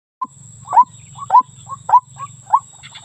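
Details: Female white-breasted waterhen calling to the male, a lure call: short rising notes near one pitch repeated about twice a second, louder hooked calls alternating with softer ones over a steady low electrical hum.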